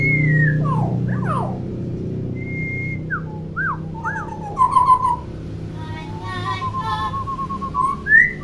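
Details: Talkative common hill myna, used to teach young mynas that have not started calling: varied whistles with falling slurs, short flat tones and wavering notes, over a steady low hum and a faint background of music.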